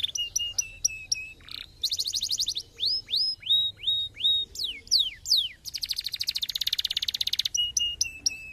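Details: Canary singing, used to prompt other canaries into song: fast chipping notes, clear upward whistled slurs, then a long dense high-pitched rattling trill before chips resume. The bird is loud and close, with a quiet background.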